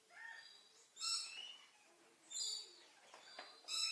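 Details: A monogamous pair of purple-naped lories quarrelling, probably over access to the nest hole, trying to bite each other without real aggression: three loud, harsh, grating screeches about every one and a half seconds, with quieter chattering between.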